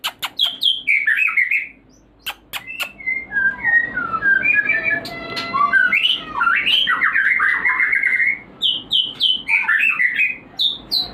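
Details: White-rumped shama song used as a lure to raise breeding drive in birds kept for breeding: rich, varied phrases of sweet whistles, warbled trills and rapid chattering notes in quick bursts, with brief sharp clicks early on and short pauses between phrases.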